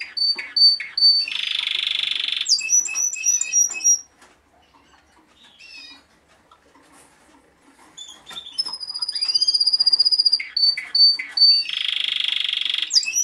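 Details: Timbrado Español cock, vice German champion from the 2013 German Championship and part of a four-bird collection, singing fast metallic chips, a long bell-like rolling trill, a quiet pause, then pure sustained whistled tones and another rapid rolling trill.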